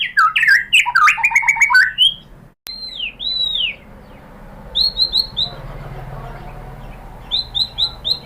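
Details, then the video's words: White-rumped shama singing as a lure to stir other shamas: a burst of mixed chattering and whistles, then sparse high downslurred whistles in short groups separated by quiet pauses. "memancing EMOSI MURAI BATU biar ikut GACOR BONGKAR MATERI ISIAN ¦ PANCINGAN MURAI ¦ SHAMA BIRD"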